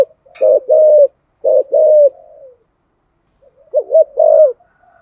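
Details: Spotted dove cooing in the 'giọng thổ' voice style, used to stir other doves into cooing; low mellow coos come in two bursts of short-then-long notes, each long note level and slightly falling, with a quiet pause and a softer final phrase.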